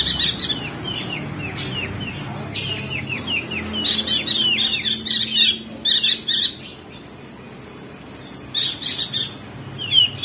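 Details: Crested white-eye from Lombok, West Nusa Tenggara, in a training recording played to get lazy birds singing: rapid high chirps and short downslurred twitters in dense bursts, with brief pauses between phrases.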